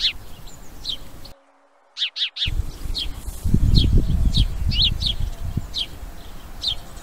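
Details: House sparrow giving sharp, high chirps in irregular bursts, some single and some doubled, over a rumbling low background of rustling or handling noise, with a brief drop-out in the middle.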